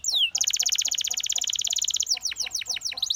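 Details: A canary sings a long, very fast, even rattling trill lasting over a second and a half, framed by sweeping whistled slurs before and after.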